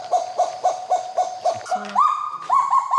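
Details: Kagu pair duetting in New Caledonian forest to mark family territory; male song of about twelve syllables, female's shorter of about six. Evenly repeated mid-pitched barking notes, then higher rising notes take over, sounding like one bird.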